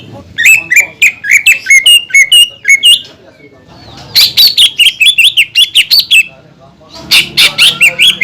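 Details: Greater green leafbird singing a provoking song meant to stir other leafbirds: quick strings of bright, bending whistled notes in two bursts separated by a short pause, ending in a further rapid phrase.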